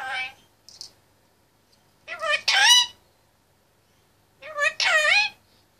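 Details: Indian ringneck parakeet, male, 25 months old, talking in his cage: three speech-like phrases with warbling, harmonic inflections, the later two longer and louder, separated by short silences.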